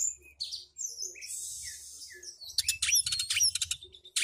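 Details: Caged house-bird Oriental magpie-robin giving scattered soft whistles and a hissing buzzy note, then a loud volley of rapid sharp chirps and flicked whistles near the end.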